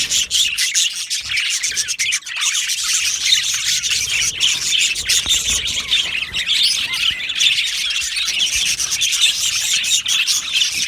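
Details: Yellow male budgerigars housed as an aviary colony keep up a thick, high chorus of chirps, warbles and rasping squawks, punctuated by sharp clicks.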